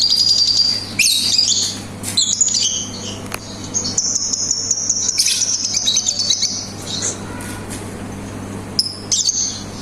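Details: Lovebird chatter in ngetik style with ngekek: piercing high ticking runs, harsh squawks and a long buzzing trill in the middle, broken by brief pauses; steady low electrical hum in the background.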